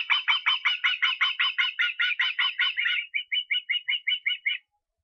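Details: Estonian osprey, 23 August: a dense, urgent run of rasping whistled notes that slows into about eight cleaner, more spaced whistles before stopping, on a quiet background.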